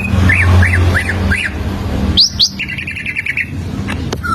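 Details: Greater green leafbird song used as a standard lure to teach other leafbirds to sing: four arched whistled notes repeated about every half second, then quick rising sweeps and a short chattering trill, over a low steady hum.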